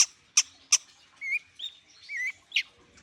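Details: Warming-up song of a long-tailed shrike: three sharp, clicking high notes, then softer whistled slurs and wavering tones, one rising and dipping, ending with a further sharp note.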